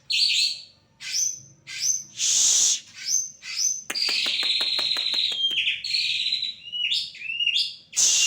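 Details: Champion white-rumped shama singing loudly: a rich, varied stream of high whistled and rasping phrases, with a rapid rattling trill in the middle and clear notes recurring between short pauses.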